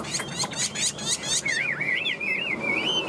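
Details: Chinese hwamei, a tame cage bird with yellow bill and legs. Rapid bursts of sharp, broadband notes open the phrase, then a rolling, looping whistled warble wavers up and down until the end.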